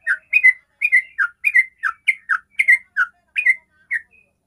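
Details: Sooty-headed bulbul in 'ropel' song, played as a lure to make other bulbuls sing: paired slurred whistles falling then rising, repeated a little under once a second, ending in silence.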